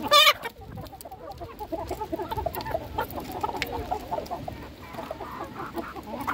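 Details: Hens being fed, a dense chorus of soft clucks and short murmuring notes throughout, with a sharp high burst at the start and faint clicking pecks in the background.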